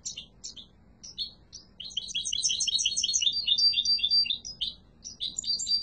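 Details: Strong singing from a yellow-mutation European goldfinch: isolated high chirps leading into a long, rapid jangle of tinkling twitters and buzzy trills, then more separate chirps.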